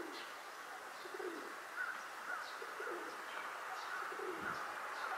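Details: Rock dove on a rooftop, puffing out its throat while turning in circles, giving low, throaty rolling coos about every second, over a steady background hiss with faint chirps from other small birds.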